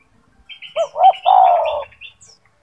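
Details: Strong-voiced caged gacor turtle dove singing a master song for other doves: two short coos and one long drawn-out coo, with thin chirping from other birds above.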